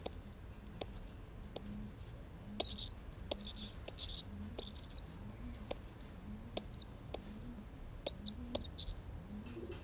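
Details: A young pigeon, being cuddled, gives thin, high squeaky peeps, about one every second, over soft low murmuring sounds.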